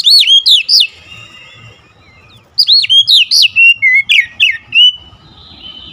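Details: Oriental magpie-robin in fierce, agitated song, giving two bursts of loud, swooping whistles, each note arching high then dropping, with a short pause between the bursts and a faint low hum underneath.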